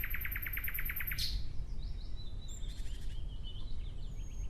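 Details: Nightingale singing in natural surroundings: a fast series of about ten sharp, evenly spaced notes, then a high piercing whistle and fainter twittering phrases, over steady low rumbling background noise.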